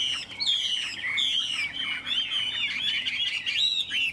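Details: A caged Chinese hwamei with yellow legs and bill, hung on a peach tree on a sunny day, pours out a loud, varied song of rich whistles, rapid slurred phrases and sweeping notes, almost without pause.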